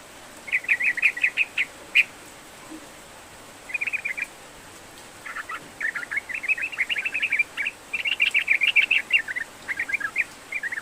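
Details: Sooty-headed bulbul in vigorous song, used to stir a lazy bird into singing: repeated bursts of rapid bubbly chatter with short gaps, the longest run near the end.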